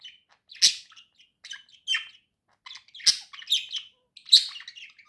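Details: Indoor pair of pet budgerigars in cheerful song: chattering, buzzy warble broken by loud sharp clicks and squeaks every second or so, with rising and falling whistled fragments.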